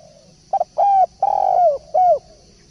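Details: Derkuku, the spotted dove, in full voice: a clipped opening note, then three smooth coos, the middle one extended and quavering as it falls, ending on a rounded, dropping hoot.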